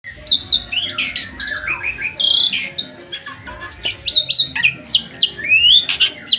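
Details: Bali myna, a pet bird singing on its owner's hand in Bali, 2023: a varied run of whistled notes, squeaky chirps and rising slurs, loud and irregular, with a faint tonal hum in the background.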